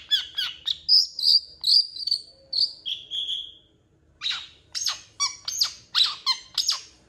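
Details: Long-tailed shrike, a vigorous singer used to train champion birds, said to mimic cats and chickens; a run of clear whistled notes sliding lower, a short pause, then rapid harsh scratchy chirps with ringing overtones.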